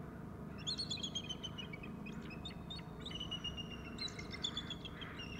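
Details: Bald eagles calling at the nest, with a male calling as well: two bursts of thin, high piping notes that step downward in a chattering series, over a constant low mechanical hum.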